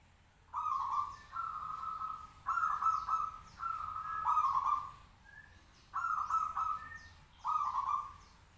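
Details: Caged local zebra dove singing to make other birds answer; linked series of purring, rattled coo phrases, with a short pause midway, plus faint higher chirps of other birds.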